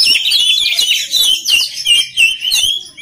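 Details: Song of an oriental magpie-robin, played to train other birds: a fast, busy string of high, bright whistles and chirps, about three notes each second, irregular in rhythm, with little silence between phrases.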